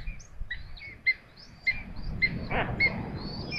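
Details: Common buzzards being fed in Tiszalök, Hungary: a run of short piping notes, several callers overlapping, repeated roughly twice a second, with one brief broadband knock near the middle.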